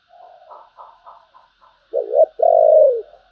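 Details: Spotted dove cooing in the 'thổ' voice style, called 'Bầu': soft, faint broken murmurs, then a loud two-part coo, a short dipping note and a longer steady hooted note, low and mellow.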